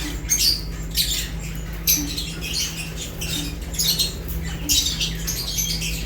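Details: Lovebirds chirping while eating, with sharp high chirps and squawks in quick clusters about once a second over a steady low hum.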